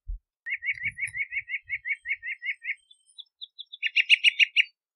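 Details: Bahama mockingbird (Mimus gundlachii) singing: a fast run of about twelve identical chirped notes near the same pitch, a few faint higher notes, then a louder burst of rapid harsher repeated phrases.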